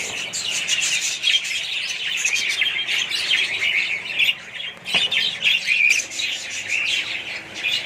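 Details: Budgerigar colony: layered chirping and squawking from many birds, uneven in loudness, with a brief dip and a sharp knock near the middle before the chatter swells again.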